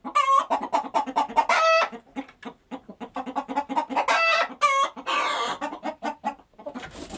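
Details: Chickens cluck about twice a second in an uneven stream, with loud bright cackles early on and a harsher rasping squawk toward the middle, fading at the end.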